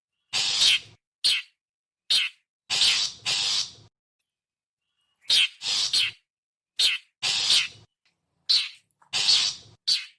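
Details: Long-tailed shrike, called cendet or pentet, calling as a bird lure: clusters of hoarse, grating rasps and brief harsh chips, two bursts separated by a short silence, clean background.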